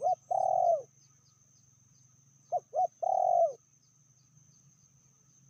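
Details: Female spotted dove, called fiercer than the cock, repeating a coo phrase: two brief notes and a long trilling coo, heard twice about two and a half seconds apart, over a steady low hum.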